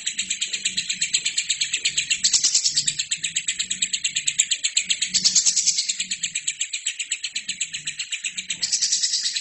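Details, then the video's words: Lovebird in captivity delivering a sustained, rapid chattering song recorded as a tutor track for other birds; dense high buzzy pulses repeat steadily, swelling into louder bursts every few seconds. "LOVERBIRD GACOR!!!"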